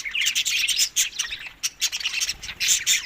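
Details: Budgerigars at feeding time in May to June make bright, high, scratchy chirps in quick clusters. Sharp tweets cut through a continuous rasping babble.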